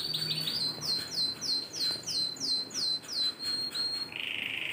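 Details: Silver agate canary heard singing actively (gacor), 23 December 2020: a steady series of about ten sharp descending high notes repeated roughly three per second, ending in a buzzy lower trill.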